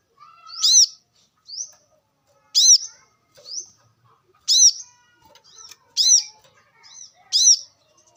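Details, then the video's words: Wild brown-throated sunbird, used as lure audio: strong high arched chirps about every one and a half to two seconds, alternating with softer thin rising whistles, in a quiet background. "kolibri kelapa | manggar | wiceh | pancingan korlap dengan suara asli alam liar gacor"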